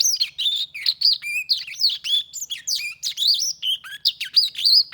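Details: Continuous song of a black-throated canary: fast jumbled sequence of high sweet whistles, rising and falling slurs and short buzzy notes, delivered without a break over five seconds in a quiet setting.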